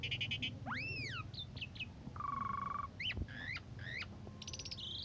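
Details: Asian pied starling in morning-evening condition, sung as a model for other cage birds: buzzy pulses, arching whistles, a flat rasping note, then chattering slurs and a rising buzz, with low hum behind.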